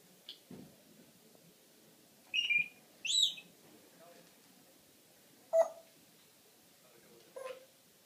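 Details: Pet parrot indoors in a quiet room giving a few short, scattered squeaks and sharp squawks, some rising or falling, separated by long silent gaps.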